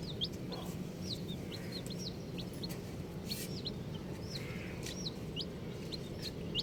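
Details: Colourful baby chicks chirping, with many brief high curved peeps scattered irregularly across the recording over a constant low hum.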